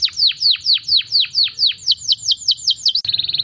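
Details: Canary mating song: a string of clear downslurred whistles repeated about four times a second, speeding up, then breaking into a rapid, even, buzzy trill; a low hum underneath.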